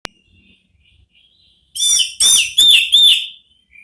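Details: Orange-headed thrush singing in the ngeplong style, a therapy song meant to lure other thrushes into answering; faint thin whistles lead into four loud, rich, ringing phrases of roughly even length, ending in a short high note.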